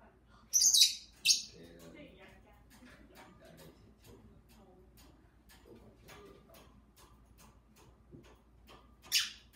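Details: Two pet lovebirds indoors, talking and singing with their owner: a couple of sharp, high chirp bursts near the start and another at the end, with soft, low human speech murmuring in between.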